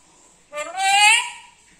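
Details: Black-capped lory kept as a pet makes a single drawn-out nasal word-like sound that swells and rises slightly, with a faint hiss around it.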